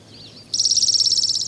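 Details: On Lummi Island, Washington, a spotted towhee sings a single rapid, evenly pulsed high trill of about a second, after a faint soft introductory note.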